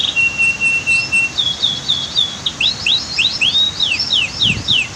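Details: Canary tutoring song by a dam and waterfall: a flat, high, drawn-out trill, then bright upslurred and down-slurred whistles tumbling rapidly, with rushing water behind.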